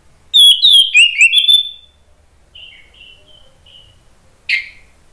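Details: Orange-headed thrush singing agitatedly, used to provoke other birds into singing: a loud burst of rapid, swooping whistled notes for about a second and a half, then a few soft short whistles and one sharp final note.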